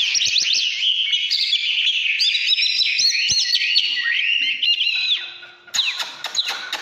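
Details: Oriental magpie-robin singing 'căn lửa' style, 2017: a fast, varied whistled outpouring of slurs and chatters that fades briefly, then resumes as sharp, clipped notes among clicks.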